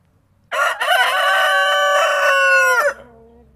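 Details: Several white roosters crowing at the same time: one loud, harmonic-rich cock-a-doodle-doo held steady for over two seconds before dropping off, with another bird's crow trailing faintly at the end.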